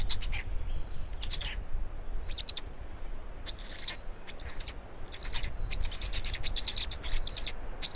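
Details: Estonian black storks at feeding, 16 May 2019, 16:58: scattered shrill chirp bursts, thickening toward the end into rapid squeaky sequences, partly masked by strong low-pitched rumbling.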